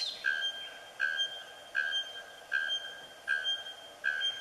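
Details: Male bare-throated bellbird (araponga) in coastal Atlantic Forest of Paraná, Brazil, giving loud, ringing metallic anvil-like notes about every three-quarters of a second over soft forest hiss. It is a breeding song to attract the female, audible from far away.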